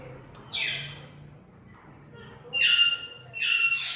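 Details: Sulphur-crested cockatoo, apparently a caged pet bird, giving harsh broadband screeches: one short rasp, then two longer grating squawks close together near the end, with faint low hum in the room.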